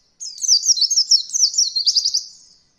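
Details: Oriental white-eye delivering one continuous, very high rolling trill of quick slurred notes for about two seconds, fading at the end; recorded to teach beginner birds the 'roll voll' song.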